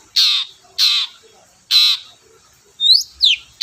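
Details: Long-tailed shrike, kept as a lure to set quiet shrikes singing: loud, harsh, rasping calls spaced about a second apart, followed by two fast rising squeaky notes.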